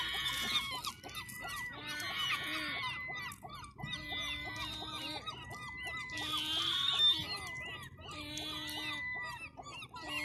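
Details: A flock of seagulls on the seafront on a chilly Sunday afternoon, sending out bursts of layered, nasal cries in waves about every two seconds, with many birds calling together.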